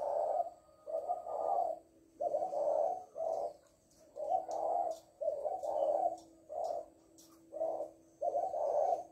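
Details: Spotted dove hen repeating the "lối" call: a steady series of low, throaty coos, mostly paired, about a dozen in nine seconds, with a faint continuous low tone behind.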